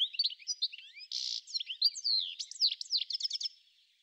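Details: European goldfinch giving a rapid, liquid twitter of high tinkling notes and short slurred whistles, broken once by a brief harsh buzzy note near the middle.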